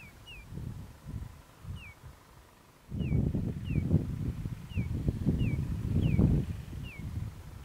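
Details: Oriental magpie-robin heard during bird trapping. Clear, slurred whistles fall in pitch and repeat about every half second, over low rumbling and thumping noise that grows louder midway.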